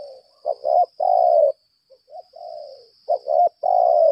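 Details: Spotted dove decoy, lambung kuk type, challenge-calling: a quick double coo followed by a long sustained coo, repeated after a short quiet gap; a constant thin high whine sits behind.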